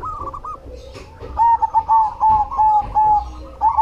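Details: Cemani-variety zebra dove singing vigorously: soft opening, then a loud series of evenly paced, clipped coos on a steady pitch, each note bending slightly, with a faint chorus of other doves behind.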